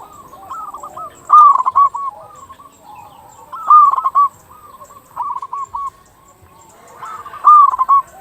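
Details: Vigorously singing local zebra dove, used to lure zebra doves and stimulate quiet birds to call: three loud phrases of rapid clipped coos with trailing rolled notes, about every three seconds, with fainter dove coos between.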